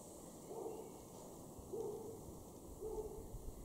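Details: A wood pigeon (Columba palumbus) in a garden in Norden, East Frisia, northwest Germany, in May 2024, gives three soft, low, hooting coos about a second apart, muffled against a steady background hiss.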